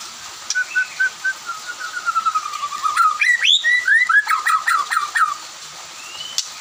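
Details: White-rumped shama singing in the afternoon, others answering; clear whistled notes, first a level series of short whistles, then a rapid run of loud rising and falling slurred phrases, ending with a faint whistle.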